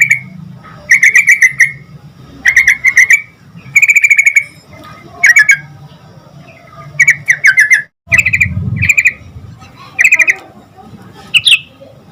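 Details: Yellow-vented bulbul in full song used to draw answers from other bulbuls: repeated short buzzy rattles, roughly every second or two, over a soft low rumble, with one brief gap of silence.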